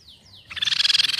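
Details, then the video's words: Crescent-chested babbler call as a lure: two clear descending whistles, then a fast, loud, regular pulsed trill. "PANCINGAN BUNYI TEPUS PIPI PERAK"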